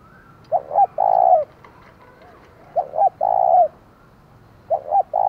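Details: Spotted dove kept as a decoy bird, 'giọng thổ' singing style, calling to provoke wild rivals with repeated three-part coos, two quick notes then a sustained one, roughly every two seconds.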